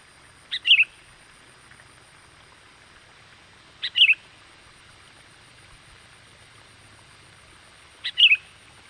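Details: Sooty-headed bulbul luring call to attract wild birds: a short, bubbly two-part whistled phrase repeated three times, roughly every three to four seconds, over steady background hiss.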